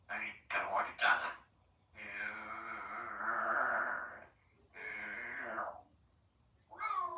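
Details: A 3-year-old female Congo African grey parrot kept as a pet in a country home talks in a small indoor room: drawn-out, harmonic phrases mimicking speech and meowing, with short bursts and pauses between.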